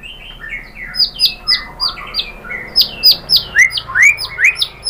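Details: White-rumped shama lure song used to make other shamas answer, a fast series of high, bright chirped notes repeated several times per second, ending in rising whistled slurs.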